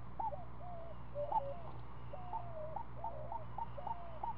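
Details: Seven-day-old screech owl owlet in the nest, being fed, uttering quavering, drawn-out wavering notes and short chirps in an uneven sequence against a steady low drone.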